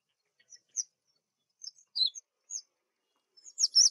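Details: Spring black drongo calling with spaced, brief sharp chirps roughly every half second, ending in a loud, twisting squeaky phrase.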